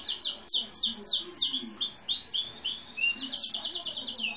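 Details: Lavender grey-and-white canary, no defined breed, in full song while a seedeater was also singing: a string of falling whistled swoops, a few upward slurs, then a fast even trill of clipped notes.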